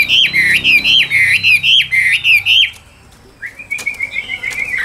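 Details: Caged Chinese hwamei repeating a loud, rhythmic whistled phrase about four times a second, each note dipping and rising, then a pause and a softer trilling whistle.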